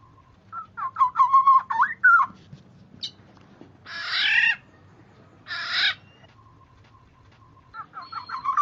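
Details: Oriole calling for bird luring: a run of quick short fluty notes, then two separate harsh rasping squawks a second apart, ending with more rapid whistled notes. A faint electronic tone hums throughout.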